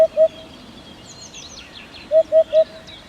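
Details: Eurasian Hoopoe calling: soft, hollow, low 'oop' notes, a pair at the start, then after a pause a run of three evenly spaced notes about a fifth of a second apart. Faint high chirps of other birds sound in the background.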